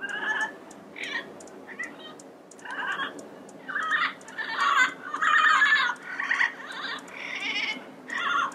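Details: Yellow-headed parrots in the wild filling the air with a busy stream of harsh, squawking and chattering calls, overlapping bursts rising and falling in loudness with little pause.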